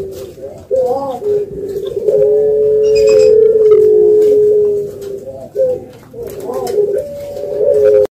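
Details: Spotted dove calling with soft, low cooing phrases: short rising notes leading into a long held coo, then a pause and more short coos, recorded indoors.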